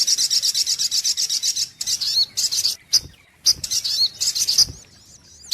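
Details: Brown-throated sunbird (sogok ontong) on a lure recording. It gives a rapid, high, buzzy trill that breaks into uneven bursts of twittering and chips, ending with thin, wavering whistled notes.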